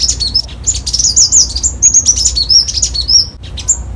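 A Copper-throated Sunbird sings a rapid, high, thin twittering song of sharp chips and squeaky trills, running continuously with only brief pauses.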